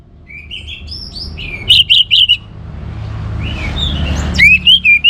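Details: Orange-headed thrush song for encouraging other birds to sing: a faint whistled phrase, then a loud trio of quick notes, a pause with low rumble, and a final burst of rising whistles.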